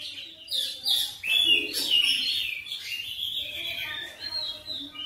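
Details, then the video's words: Oriental magpie-robin singing persistently through its repertoire, a rich, somewhat muffled mix of whistles and chirps over a faint low background hum. "KACER NGOTOT GACOR FULL BONGKAR MATERI"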